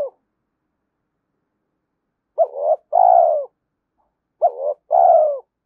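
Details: Spotted dove cooing to excite decoy birds: the tail of one phrase, a pause, then two double-part phrases two seconds apart, each a rising hoot followed by a drawn, slightly falling coo.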